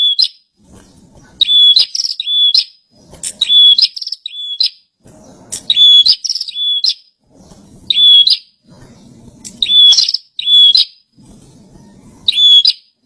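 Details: Long run of bar-winged prinia song, loud high chattering phrases with a flat whistled core, repeated in pairs and triplets about every one to two seconds, faint rumble beneath.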